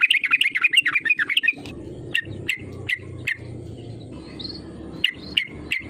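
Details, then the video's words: Yellow-vented bulbul calling as a lure to provoke rivals; a busy warbling chatter opens, then single sharp, bright chirps spaced about half a second apart with low background noise. "SUARA PANGGILAN TRUCUKAN GACOR MENEKAN LAWAN AGAR IKUT BUNYI PANCINGAN TRUCUKAN AGAR BUNYI EMOSI"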